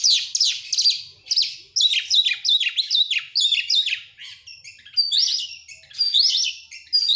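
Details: Oriental magpie-robin lure song for prompting other birds: fast sequences of crisp descending chirps and whistled notes in repeated bursts, with short breaks between phrases.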